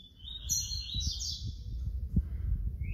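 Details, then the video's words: Papa-capim baiano, the yellow-bellied seedeater, giving a flute-type song, heard as a smeared, sustained high whistled phrase over loud low rumbling background noise. "papa capim baiano canto FLAUTA"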